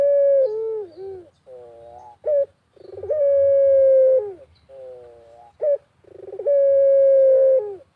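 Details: Captive Barbary dove cooing hard in the Indonesian countryside, used as a lure for other doves. Drawn-out level coos alternate with softer falling notes and brief sharp rising notes. The sequence repeats regularly against a quiet background.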